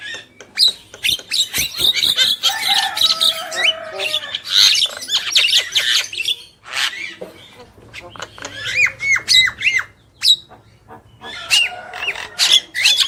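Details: Javan myna pair, male and female, in full chatter: dense runs of grating, buzzy notes and clipped whistles, with a busy stretch early on, a short pause, then renewed bursts.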